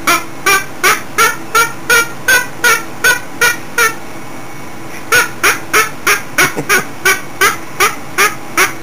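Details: A pet cockatoo, described as singing, gives short, harsh, honking squawks about three per second in two runs, with a brief pause between them and a faint background hum.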